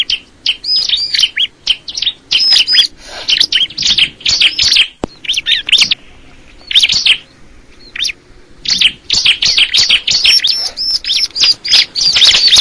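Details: Bar-winged prinia singing in bursts of sharp, high chirps and short twittering phrases, rapid notes packed together, broken by a quiet pause midway before the lively chattering resumes.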